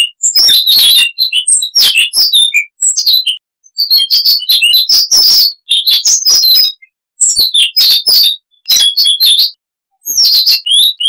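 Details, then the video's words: Siberian rubythroat (Luscinia calliope) sings long, varied phrases of rich warbles, chirps and high whistles, roughly every two seconds with brief pauses, no other sounds. "Siberian Rubythroat (Luscinia calliope)"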